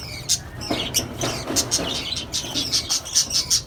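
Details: Colony setup of small parrots (lovebirds, cockatiels, budgerigars) producing quick repeated sharp chirps and piercing tweets, several birds at once, with a low hum in the background.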